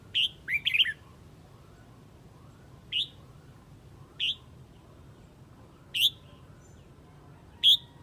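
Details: A Red-whiskered bulbul from Huế calls the flock with an opening flurry of three or four sweet whistled notes. Single clear whistles then repeat roughly every one and a half seconds over soft background hum.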